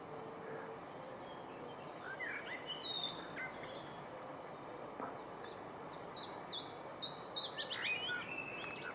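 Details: Willow Warbler that is a mixed singer, 16 June 2015, usually opening its song with a few Chiffchaff notes; high, thin descending notes in loose runs, faint above steady background noise.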